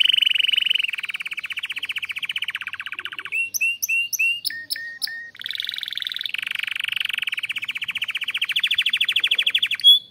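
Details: Canary singing in a breeding aviary, song said to stimulate breeding: fast buzzy trills of rapid repeated notes, a section of separate upswept whistles and clicks, then high rolling trills resuming and ending on a brief whistle.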